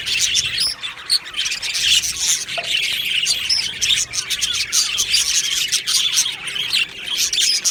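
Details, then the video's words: Aviary budgerigar colony on 22 June 2025, rapid high tweeting and chattering from a crowd of birds, with a few clear piping notes rising above the dense background twitter. "Budgie singing sounds | Budgie chirping sounds"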